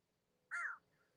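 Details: Crow calling in reply to a person's imitated caw outdoors: a single short, harsh, nasal caw, then quiet.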